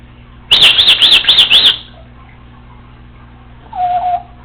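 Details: Pet Congo African Grey parrot, female, home alone, repeats five arched high chirps in a fast even run, then after a pause gives a soft low whistled note.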